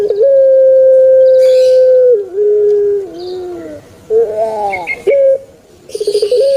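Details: Caged puter pelung turtle dove: a stutter into a long flat hoot, a dipping coo, a rolled gurgle, a short clipped note, then another quick stuttering run.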